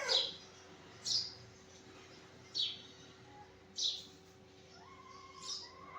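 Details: Sparrow chirping in the morning: five short, sharp, high chirps spaced roughly a second or more apart, over a faint steady hum, with a few thin rising whistles near the end.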